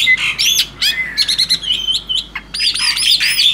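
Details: A tame male black-winged starling gives bright looping whistles, downslurred notes and quick chirps, followed by a run of repeated arched whistled phrases.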